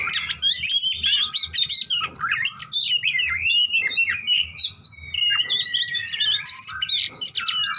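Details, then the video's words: Oriental magpie-robin singing its combative fighting song, played to prompt a silent bird; long unbroken stream of loud high whistles, trills and buzzy, scratchy notes, with a steady low hum beneath. "PANCINGAN KACER TARUNG ATASI KACER MACET"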